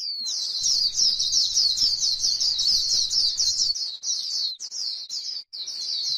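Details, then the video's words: White-eye on grassland in its 'líu' chatter, a rapid, continuous, high twittering sequence that breaks into shorter bursts with small gaps toward the end. "KÍCH KHUYÊN LÍU CHUẨN chim khuyên trên đồng cỏ white eye bird"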